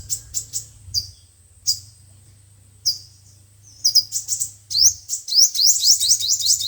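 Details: Sunbird song, the five-colored and seven-colored kinds, used as a speaker lure for trapping: sparse thin chirps that build into a fast run of rising sweeping notes near the end.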